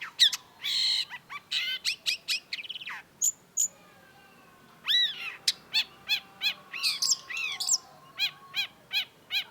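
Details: Long-tailed shrike (cendet), a tutor recording for songbird keepers: lively song of sharp chirps and downslurred whistles, then a fast run of short repeated notes at about three per second. The background is quiet.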